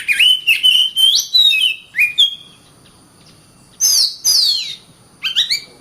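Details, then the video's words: Caged Oriental magpie-robin singing a quick run of whistled and chattering notes, then falling silent for over a second before two high descending slurs and a final short burst. "BURUNG KACER GACOR RAPAT"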